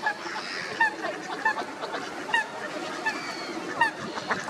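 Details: Ducks calling over a constant hiss of background noise: short nasal calls repeated roughly every half to one second, irregular in timing.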